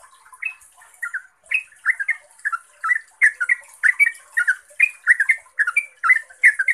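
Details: Trucuk or yellow-vented bulbul giving energetic chattering ropel song intended to make other bulbuls reply at once; rapid rich notes in clustered bursts, becoming steadier and denser, with a light high hiss.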